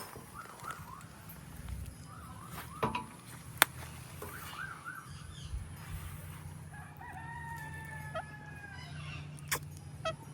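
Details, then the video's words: Indian ringneck parakeet calling in a relaxed setting: wavering, harmonic squawks repeat in short runs early on, then longer drawn-out nasal notes later, with a few sharp clicks and a steady low hum underneath. "Indian Ringneck Parrot Relaxing Sounds"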